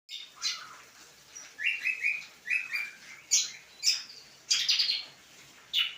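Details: Greater green leafbird (cucak kombo) singing: a varied run of bright chirps and short whistled phrases, some slurred and rising, delivered in quick bursts separated by brief pauses, with sharp high notes near the end.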